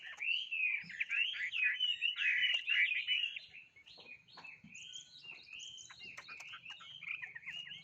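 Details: Bird in full song: a loud run of rapid, varied whistled and chirping phrases for about three seconds, then softer twittering notes continuing to the end, with a faint low hum underneath.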